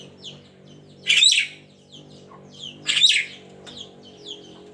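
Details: Javan myna in the morning: two loud, harsh, broadband squawks about two seconds apart, with many faint high chirps and whistles from other birds in the background.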